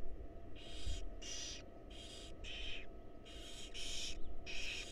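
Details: Wild barn owl owlets in a monitored nest box being fed, giving harsh broadband hissing screeches, about half a second each, repeated in close succession with brief gaps, over a low steady background hum.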